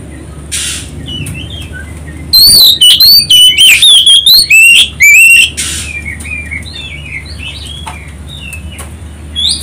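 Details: Oriental magpie-robin singing as bait to make other birds answer: a three-second outburst of loud, quick whistled phrases with rising and falling slurs, framed by quiet stretches of faint twittering.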